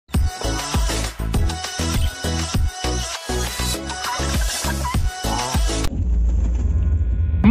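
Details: Upbeat dance music with a steady thumping beat, giving way to a quieter sustained droning passage near the end, with no animal voices.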